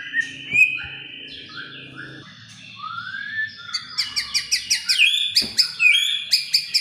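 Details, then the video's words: Oriental magpie-robin song played as tutor and lure material for a young murai batu; long whistled notes and upward slurs, then rapid repeated chirping phrases with mixed higher twitters. "PANCINGAN & MASTERAN,,MURAI BATU BAHAN AGAR JADI BUNYI GACOR PLONG"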